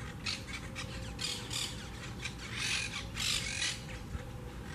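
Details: Monk (Quaker) parakeets of a wild colony at a large twig nest in a beachside palm, Southwest Florida; loud scratchy squawks in bursts, louder near the end, over a constant hum.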